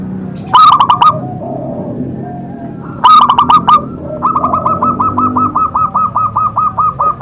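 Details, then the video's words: Local zebra dove singing strongly: two short bursts of rolling coos mixed with clicking, then a long even train of clipped, bouncing coo notes repeated several times a second. "perkutut lokal gacor Suara Besar Suara Ampuh bikin Manggung"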